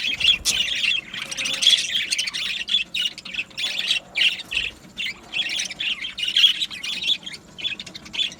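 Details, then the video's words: Colony of Australian budgies in an aviary, singing and chirping steadily: rapid, bright warbled notes in short bursts roughly every half second, several birds overlapping throughout. "Beautiful Budgie singing and chirping sounds | Budgie parakeets sounds"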